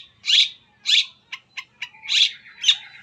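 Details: Long-tailed shrike sounds used as a lure to start other shrikes singing: loud harsh rasping notes spaced about half a second apart, broken by a few quick dry clicks.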